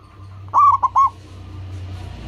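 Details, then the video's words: Local zebra dove (perkutut) singing as a lure to get other perkutut singing quickly. A long coo then two short clipped notes, with steady hiss and low hum behind. "Perkutut lokal gacor, suara seperti ini bagus sekali untuk melatih burung perkutut cepat bunyi."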